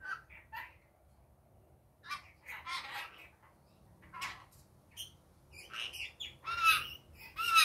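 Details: Pet rainbow lorikeet in daytime chattering: bursts of raspy squawks and chips, growing louder and denser toward the end with shrill screeching notes; low room hum beneath.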